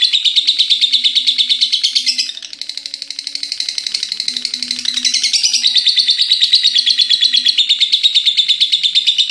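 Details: Pet lovebird's ngekek, an endless chatter lasting until morning: a long stream of rasping, rapid pulses that softens and thins in the middle, then swells loud and dense again to the end.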